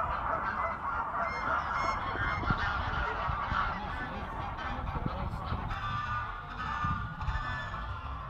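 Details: Clamorous honks from grey and Canada geese battling, rapid and irregular, layered over constant low rumbling and water noise.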